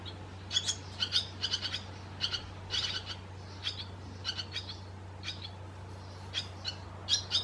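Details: Barn swallow calls recorded in Croatia: a busy run of clipped, high, metallic chirps, often in quick pairs or clusters, continuing throughout over a constant low electrical-like hum.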